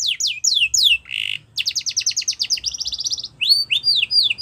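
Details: Yorkshire canary singing, used for canary song training: descending whistles, a harsh buzzy note, a fast rattling trill, a higher trill, then rising and falling whistled notes.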